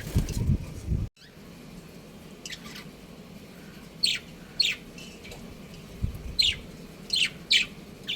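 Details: Breeding pair of pet budgerigars giving short, bright chirps in scattered ones and twos, each a quick sharp note, mostly in the second half; a dull thump and low rumble at the start.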